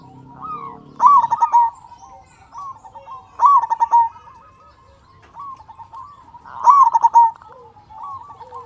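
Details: Local zebra dove in strong voice, its song used as a lure to make other doves sing: three stuttering, rolling coo bursts spaced about three seconds apart, linked by softer arched coos.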